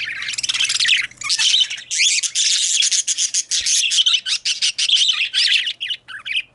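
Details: Budgerigars, or parakeets, giving a dense run of scratchy warbles, clicks and rapid chirps, nearly continuous with brief gaps, over a faint low hum.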